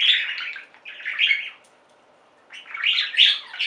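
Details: Captive budgerigars in a singing flock produce two stretches of dense, grating chatter and twitter, separated by about a second of silence.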